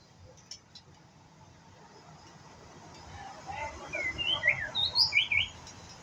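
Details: Young white-rumped shama (pistol-tailed type) learning to sing: quiet start, then from the third second a run of clear whistled notes and slurred rising and falling phrases, getting louder toward the end over low background hum.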